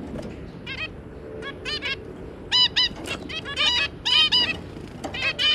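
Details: Zebra finch pair with three juveniles: many short nasal honking notes from several birds, overlapping and growing busier and louder toward the end.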